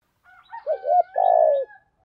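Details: Spotted dove calling in the Thổ Gù voice style, used to lure wild spotted doves in quickly: a short, soft lead-in, then a low wavering coo and a long, rich, slightly falling croo. The background is quiet.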